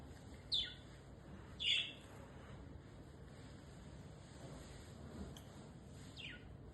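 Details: Cockatiel gives two loud, sharp chirps a second apart, then two fainter ones, over a low background hum.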